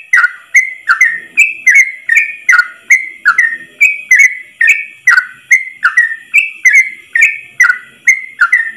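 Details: A yellow-vented bulbul delivers a long ropel song in a single breath, intended for training other trucuk birds; a steady run of rich, slurred whistled notes, roughly two or three each second, holding a constant rhythm throughout.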